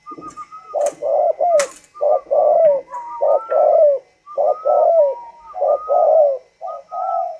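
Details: A tame, kept spotted dove from northern Vietnam, prized for its 'thunder voice' singing style, coos in a steady run of hollow, mellow phrases. Some notes end with a slurred downward inflection, and faint clicks are heard.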